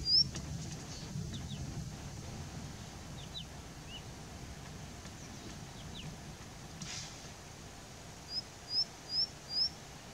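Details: Indian bushlark singing on a rock in Jayamangali, India: after a quiet stretch with a single early note, four high, thin rising chirps come evenly spaced about every half second near the end, over a low background hum.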